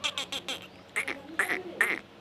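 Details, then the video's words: Female black francolin calling: a rapid series of four harsh nasal notes, then three louder grating two-part notes with a rasping quality, all within about two seconds. "کالے تیتر کی مادا بولتے ہوئے - kala teetar ki awaz made"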